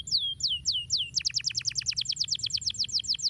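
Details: Canary singing to stimulate other canaries: four slow downward-slurred whistles, then a fast, even run of sharp descending notes repeated about six times a second, bright and high, over faint steady background hiss.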